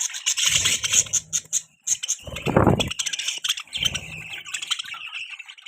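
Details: Budgies chatter in rapid high chirps and squeaks, broken by a loud harsher burst about halfway through, with low rumbling noise at times.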